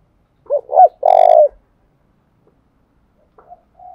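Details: Spotted dove, Đồng Nai, 'thúc gù' cooing used for luring and training decoys: two quick low hoots run into a longer buzzy coo, followed by silence and brief faint coos at the end.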